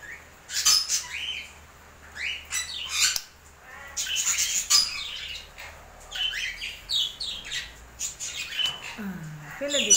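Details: While being hand-fed okra, a pet African grey parrot gives rough, noisy squawks and short chirps in uneven bursts, and a person's voice rises briefly at the end.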